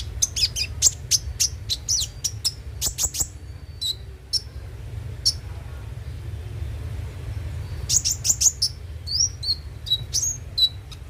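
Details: Van Hasselt's sunbird lure song to keep a bird singing: a fast burst of high squeaky chirps, a quieter gap with sparse notes, then another lively run of rising and falling twitters; low hum throughout.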